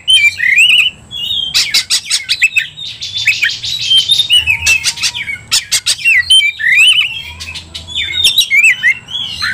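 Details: Oriental magpie-robin (kacer) worked up to fight, singing constantly: sweet slurred whistles alternating with buzzy, scratchy stretches and sharp clicks, in phrases broken by short pauses.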